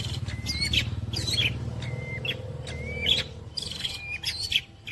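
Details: Mimicking long-tailed shrike, with kuntilanak, greja, petir and walang kecek imitations: repeated clear whistled notes, each followed by a scratchy flourish, roughly every second, against a constant low droning background.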